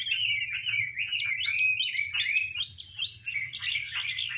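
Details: Chinese hwamei, a female dancing with spread plumage to spur the male into heated song; continuous rich whistled warbling of sliding, looping notes that rise and fall in quick succession, over a faint low hum.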